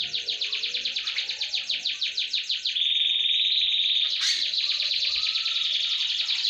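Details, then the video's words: Canary singing as a lure to make other birds sing: a fast series of repeated chopped notes, then a long even high trill with a brief sharp click in the middle. "Kicau pancingan kenari"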